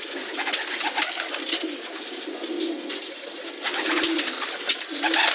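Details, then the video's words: Pigeons heard as low, murmuring coos that swell at intervals, set against a dense, steady hiss of rustling and high-pitched chatter filling the whole recording. "Pigeon Sounds"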